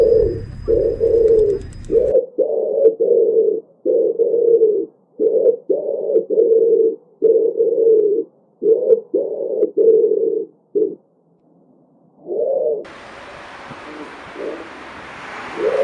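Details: Pigeon giving a long series of low, muffled coos, roughly one every second and somewhat irregular. A short buzz at the start and a rushing noise near the end accompany it.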